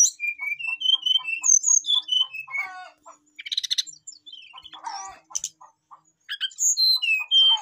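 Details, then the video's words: Brown-chested jungle flycatcher (sikatan rimba dada coklat) singing actively, calling to a rival, with a full repertoire: varied high whistled phrases, rising and falling, mixed with quick chips and buzzy notes in a busy run. "srdc memanggil lawan jadi gacor, sikatan rimba dada coklat gacor full isian"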